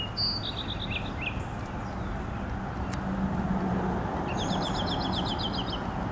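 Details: Eastern towhee in Oxford, Mississippi, on the morning of 5 February 2020, cloudy with gentle rain at 50°F, gives two bright song phrases, each with opening notes and then a quick, even trill, over rain hiss and a low rumble.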